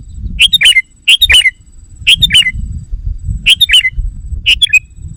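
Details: Lure call of the sooty-headed bulbul for drawing in wild birds: harsh, squawking double and triple notes with sharp falling slurs, given in quick clusters roughly once a second, over a low background rumble.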